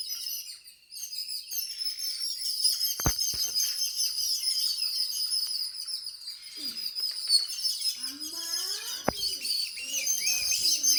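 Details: Birds chirp in a busy high chorus inside a home, with a couple of sharp clicks or knocks and some lower, sliding calls near the end.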